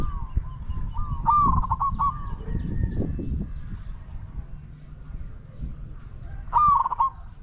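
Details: A spotted dove kept as a decoy to lure wild doves coos twice, each call a quick run of broken, rolling notes. Faint softer cooing and a steady low rumble are heard in between.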